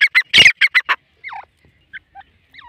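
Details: Black francolin, called kala teetar, with a quick run of about six harsh, grating, buzzy notes in under a second, then a few faint, short whistled slurs that drop in pitch, in otherwise quiet surroundings.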